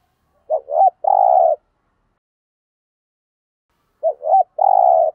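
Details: Spotted dove cooing meant to stir decoy birds into cooing; a quick double note then a sustained low coo, repeated after about three seconds of silence.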